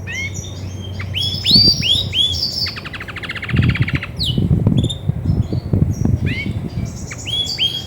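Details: Singing female Belgian canary, grey and white, in the mood to brood: curved whistled notes, a long fast buzzy trill, then sparse rising and falling whistles over intermittent low knocking sounds.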